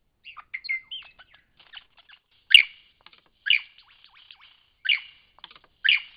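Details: Lyrebird in Cape Liptrap Coastal Park opens with mixed whistles and chips, then gives four loud, harsh descending bursts roughly a second apart, separated by soft ticking.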